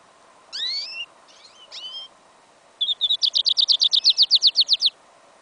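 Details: A goldfinch crossed with a yellow Isabella canary sings in a winter field, 11 January 2015, in an incomplete song. A few swooping, rising whistles lead into a quick, steady rattle of about fifteen high buzzy notes lasting two seconds.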